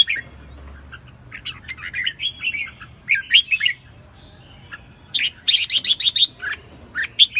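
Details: Red-whiskered Bulbul in lively song: rolling, fluty warbles and chirps, then a rapid burst of sharp, scratchy notes near the end, with a low rumble behind.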